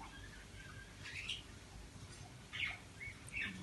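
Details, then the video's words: Pet common myna being talked to by its owner gives a few short, high chirps and squeaky notes in scattered bursts over a soft background hiss. "talking with myna bird صحبت با مرغ مینا"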